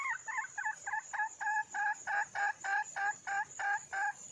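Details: Wild red junglefowl hen calling to attract a male: steady, rhythmic series of about thirteen short, nasal double-toned clucks, roughly three per second, with a constant shrill insect drone behind.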